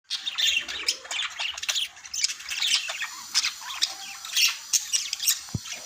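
Budgerigars chatter in a busy stream of high, scratchy warbles and chirps.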